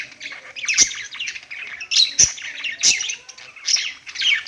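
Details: Pet budgerigars singing on a perch: dense, scratchy warbling chatter with quick chirps and sharp clicking notes, bursts every second or so, several birds overlapping.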